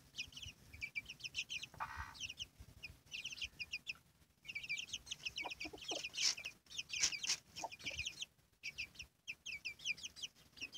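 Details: A hen and her chicks: rapid high-pitched chick cheeps in repeated clusters, one drawn-out hen cluck early, soft lower clucks later, and scattered clicks.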